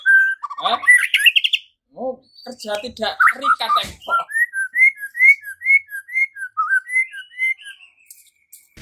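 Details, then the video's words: White-rumped shama provoked by a lure into fighting and singing along; a varied burst of rich notes gives way to a run of short rising whistles repeated about twice a second, with brief gaps. "Murai batu LANGSUNG TARUNG dan IKUT GACOR dengan pancingan seperti ini"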